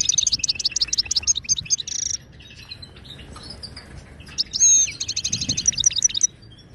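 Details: Song of a wild Moroccan goldfinch, Widani style, used to teach caged goldfinches: rapid repeated twittering notes, a pause with soft chatter, then a bright ringing whistle and another fast run of repeated tinkling notes.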